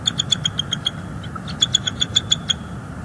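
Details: Wild bald eagle vocalizing at the nest on a December evening in northeast Florida, recorded by a live nest camera; thin, high piping notes repeated quickly in two runs of about eight notes each.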